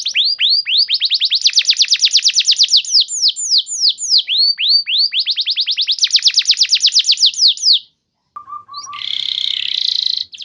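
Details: Gacor canary lure song meant to prompt other canaries to start singing: long series of rapid, repeated descending whistled notes in shifting tours. A brief pause follows, then a short low tone and a harsh, noisy burst.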